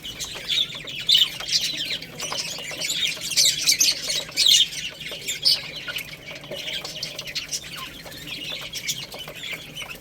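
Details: Little chicks chirping while they feed on rice. Many overlapping shrill, high peeps sound almost continuously. They are loudest in bursts during the first half, with faint tapping underneath.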